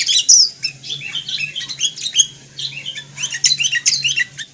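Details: Sooty-headed bulbul (Pycnonotus aurigaster), known in Indonesia as kutilang, giving a busy stream of short chirped and warbled high notes in quick bursts, with a faint steady low hum beneath.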